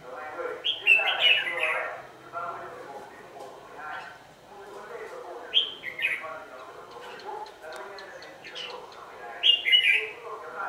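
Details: Red-whiskered bulbul decoy singing during evening trapping on 27 November 2018: scattered, sweet warbled phrases every few seconds, set against a busy, murmuring mid-pitched background.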